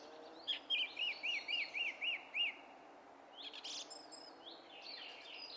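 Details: Song thrush, 27 April, repeating one arched whistled note seven times at an even quick pace, then a sharp burst and thinner high notes.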